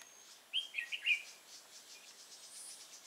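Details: Red-whiskered bulbul recorded during trapping with a decoy bird at Nuông Dăm on 6/5/2018: a brief burst of four quick, bright chirping notes around the middle, over a steady high insect drone.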